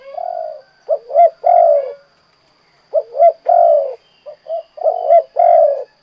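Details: Cooing of a spotted dove (derkuku, tekukur) in the 'kuk 2' song style. Three low phrases, each made of two short kuk notes and then a long, sliding coo, are repeated about every two seconds.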